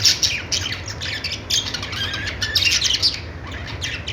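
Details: Budgies chirp rapidly, with bright high twitters and squeaky notes from several birds overlapping, and a low steady hum beneath.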